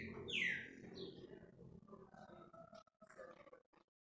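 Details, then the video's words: Green-winged saltator (trinca-ferro) singing a flowing song: a loud, clear whistle that slurs downward, then a run of rougher, flowing warbled notes over a muffled, noisy background. "trinca-ferro cantando escorrida"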